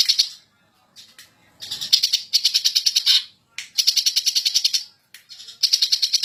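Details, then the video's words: Greater green leafbird, agitated and singing ngentrok: long trains of rapid, evenly stuttered pulses, several phrases of a second or more separated by brief gaps. "Burung Cucak Ijo Ngamuk Ngentrok Super Gacor Juara"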